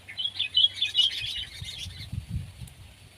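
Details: Sooty-headed bulbul, from a comparison of kept and wild birds, chattering in quick bright bursts for about two seconds, followed by low dull thumps and a faint hum.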